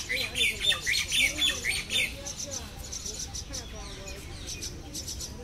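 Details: Common myna chicks begging as they are fed at the nest in Lodhi Garden, New Delhi, dated 04-07-2021. Harsh, rasping bursts come about twice a second for two seconds, then fainter scattered calls over a low background murmur.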